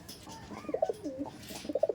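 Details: Domestic pigeons of the Teddy Kamagar type, kept for sale at a loft: low throaty coos rolling in short bubbling phrases, one after another, indoors with little other noise.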